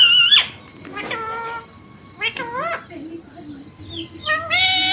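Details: A pet rose-ringed parakeet talks in a squeaky, nasal voice, repeating word-like syllables such as "mummy" and "papa" with rising and falling pitch and brief pauses, over music.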